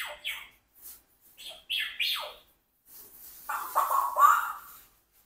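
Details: Indoor pet Congo African grey parrot, four years old, vocalizing: quick whistled chirps and squawky syllables sweeping downward, then a longer mumbled speech-like phrase with raspy tones.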